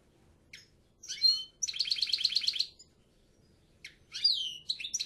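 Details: European goldfinch: scattered chirps lead into a sustained buzzy trill, then more twittering with a falling slur, over a faint low background hum.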